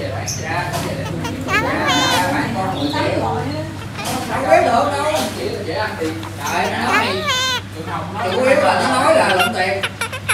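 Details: A talkative red-breasted parakeet (Psittacula alexandri) chatters in a speech-like voice while being teased, with wavering, warbled phrases over a steady background hum and people talking nearby.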